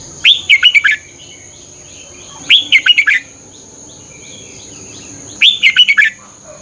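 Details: Red-whiskered bulbul song, Thailand, played to train caged birds: three bright phrases of five or six quick whistled notes, the first note swooping upward, repeated roughly every two and a half seconds, with a steady high hum.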